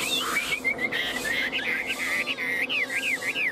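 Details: Tame Chinese hwamei held in the hand and teased, still singing confidently; a run of loud clear whistled notes, repeated arching slurs about three per second, with faint background noise.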